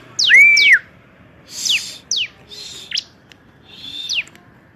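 A Bar-winged Prinia sings a high, bright phrase: a looping whistled note, then four or five sharp downslurred chips and buzzy notes about a second apart.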